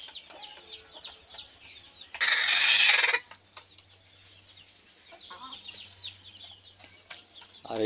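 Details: Desi chickens on a budget farm: steady high down-slurred peeping from several birds, broken by one loud, harsh one-second squawk, over a low steady hum.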